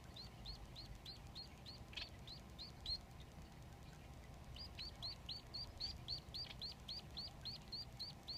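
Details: Society finch nestlings, three of them, beg as the father bird feeds them: quick runs of high, curved chirps, a brief lull in the middle, then the fast chirping resumes, a few notes overlapping.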